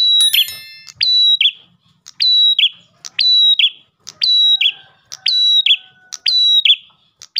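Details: Lure recording of an Ash tailorbird in full song. Repeated phrases about every second, each a click, a level high whistle and a buzzy downward tail. A fainter low tonal note runs behind midway.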